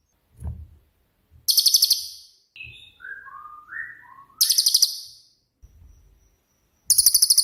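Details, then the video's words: Cililin with a 'tembakan' delivery, used to tutor songbirds; three intense high-pitched pulsed rattles, separated by a sequence of stepped, falling whistled notes and faint low knocks. "BURUNG CILILIN COCOK UNTUK MASTERAN"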